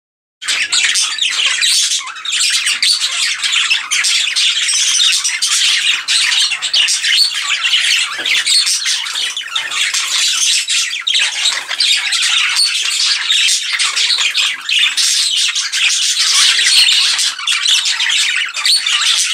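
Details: A male English budgerigar chattering to himself on a warm December morning: a dense, nonstop stream of warbles, squawks and clicks.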